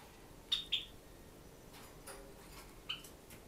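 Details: A pet Sakura Java sparrow at play in a quiet room gives three short, high chip notes, two close together and one a couple of seconds later, with soft tapping.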